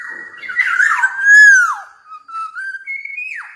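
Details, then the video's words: Short burst of song from a Javan black-naped oriole: a sustained clear whistle, a warbled middle, a strong falling slur, then steady mid-pitched notes rising to a final sharp upward and downward flick. "KEPODANG EMAS JAWA GACOR"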